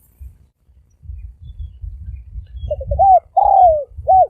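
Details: Spotted dove cooing: a few quick low coos then a long falling coo and a final short note, over low rumbling background noise.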